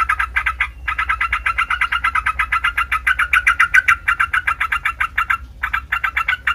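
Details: Lively Sooty-headed bulbul song for provoking rival bulbuls to sing back: long runs of rapid, chattering notes, briefly broken twice by short silences.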